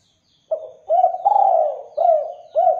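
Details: Spotted dove in full song, used as a lure to make other doves answer: a phrase of four or five low, hollow coos, each with a brief upward lilt, the middle note longest, in otherwise quiet surroundings.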